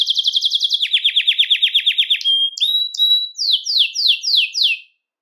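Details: Song of a Belgian canary, used to excite males and bring hens into breeding condition: quick high trill, a lower rolling rattle, short pure whistles, then five loud falling sweeps before silence.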